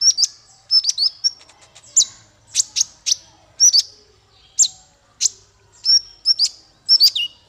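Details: High-pitched song of a male konin (Van Hasselt's sunbird): bright, piercing chirps and short whistled notes repeated in quick, uneven clusters, with some notes sliding downward, over a clean, quiet background.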